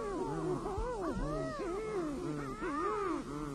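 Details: Sooty shearwaters, also called titi or muttonbirds, calling at night from their burrows on protected Rangatira island: several overlapping, wavering moans and wails that rise and fall continuously, with harmonic, crooning tones and low background rumble.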